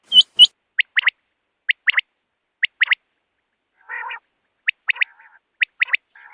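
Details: Rain quail, female, uttering sharp whistled notes that sweep upward in pairs and threes, with one low buzzy burst midway and faint twittering.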